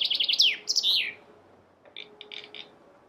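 A chaffinch delivers a quick, bright run of descending notes that ends in a flourish, followed by a softer, briefer burst of chirps.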